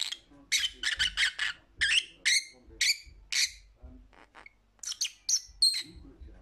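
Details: Pet lovebird chattering in a fast run of shrill squawks, then a short pause and more sharp whistled chirps; faint low knocks in the room.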